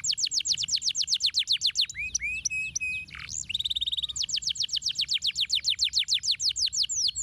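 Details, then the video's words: A canary, used as a lure call to get other canaries singing, sings rapid runs of high, bright descending whistles, about four per second, broken midway by a buzzy rolled trill before the quick sweeps resume. "kenari mantul ampuh pancing kenari ngetem nyautt gacor lagi"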